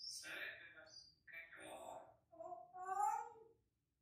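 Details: Pet African grey parrot singing, imitating human songs such as El Rey, Cielito Lindo and Para Siempre; three voice-like sung phrases with rich harmonics, the last one held and wavering, in a quiet room.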